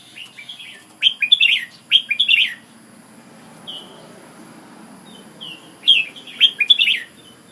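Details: Red-whiskered bulbul from Ubon, Thailand: two loud runs of rippling whistled notes, a soft single note in the middle gap, then another bright burst, over light rustling noise.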